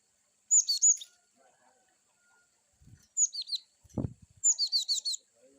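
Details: Cinereous tit (gelatik batu) singing varied wucit chirps: a pair of sharp whistled notes, then two quick series of high downslurred chirps, with a loud low thump near the middle.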